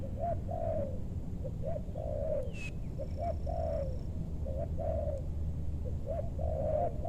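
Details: Spotted dove used to lure wild doves in a meranti forest in West Bogor, aiming for big-voiced birds. Rhythmic coo-coo-crooo phrases repeat steadily over a constant low rumble of background noise.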